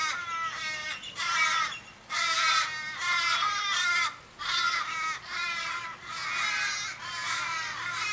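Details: Fifteen or more Australian ravens calling over a dying companion in Kellyville, Sydney, 1 July 2012. Separate harsh, nasal caws, each under a second with a sagging end, repeat roughly once a second with clear gaps between them.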